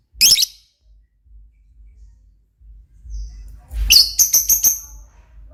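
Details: Lovebird calling energetically: one harsh, high chirp, then a pause, followed by a rapid rattling series of about six short, scratchy chirps, against a quiet background.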